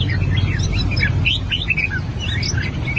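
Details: Albino red-whiskered bulbul practising its song: short, clear whistled notes and quick upslurred phrases, over a steady, strong low rumble.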